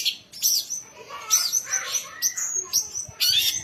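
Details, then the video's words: Young competition-ready songbird sings in loud, high bursts: rapid scratchy chatter mixed with clear whistled slurs, phrases separated by brief gaps of about half a second, steady throughout. "Burung Ocehan Gesit"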